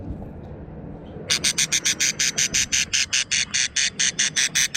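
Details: Quarrelsome budgerigar chicks: after a quiet start with low background noise, a rapid series of about seventeen loud, buzzy, rasping pulses begins and runs evenly to the end.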